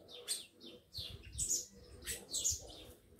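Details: Captive tico-tico males, described as fired up, kept with lively females; short high chirps come in loose pairs about once a second, with faint low rumbling underneath.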